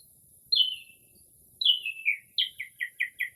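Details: Late-night early-spring Northern mockingbird, mimicking other birds' calls, heard from a porch in rare silence: two long slurred downward whistles, then a quick run of five or six short repeated notes.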